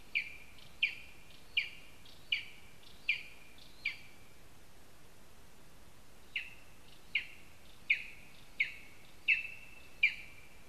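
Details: At a spruce nest in Zemgale, Latvia, a lesser spotted eagle gives a long series of clipped, high yelps, roughly one every second. A run of six is followed by a pause of two seconds, then six more. The nest scene includes a mouse and a spruce twig.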